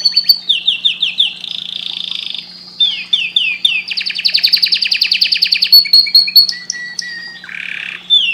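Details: Canary song meant to stimulate breeding, with repeated falling chirps, a dense rattling trill, clear level whistled notes and a brief harsh buzzy note near the end. A low steady hum runs throughout.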